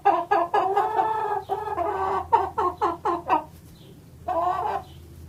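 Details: Chicken clucking: a rapid run of short, throaty harmonic clucks, roughly a dozen over three and a half seconds, some drawn out, then a pause before one longer, nasal cluck; faint low hum underneath.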